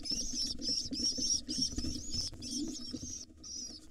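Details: Hungry wild pigeon nestlings in a nest box being fed by their father: continuous high squealing peeps in quick bursts, with soft rustling and wing flutter underneath.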